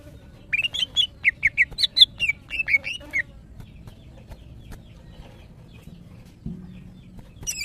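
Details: Female greater green leafbird calling for males while in breeding condition: a quick run of about a dozen bright whistled notes over three seconds, then near silence, ending with one high note.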